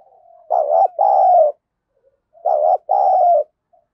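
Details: Decoy spotted dove with a scolding thổ sấm-style voice, provoking wild birds: two rough cooing phrases, each a clipped coo and a longer falling coo, separated by about two seconds, with a soft lead-in note.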